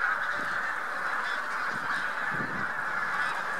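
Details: Huge flock of Bean Geese mixed with some White-fronted Geese on spring migration near Lubiń by Trzemeszno, central Poland, early March 2018; dense continuous chorus of overlapping honking calls forming a steady wall of sound.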